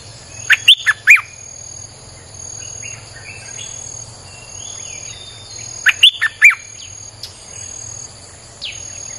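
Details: Streak-eared bulbul (Pycnonotus conradi) song, two quick bursts of sharp, chirpy notes about five seconds apart over a steady high insect whine; played as a lure for wild birds.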